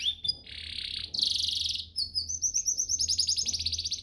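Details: Training master song of a canary meant to make caged birds sing readily: high buzzy bursts and rolls, then a long run of rapid repeated high notes forming a pulsing trill.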